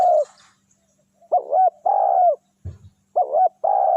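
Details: Tekukur, or spotted dove, luring wild doves with its coos: a short, wobbling upslurred note joined to a drawn-out, buzzy coo. The phrase is given twice, with a brief low thump between them.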